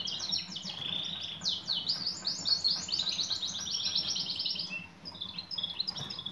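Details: Female European goldfinch calling out to a male, delivering a long rapid twitter of high, downward-slurred chirps for about four seconds, then scattered softer notes, with faint low hum beneath.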